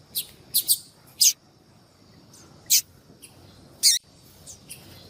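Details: Yellow-bellied seedeater; female call; female calling to attract males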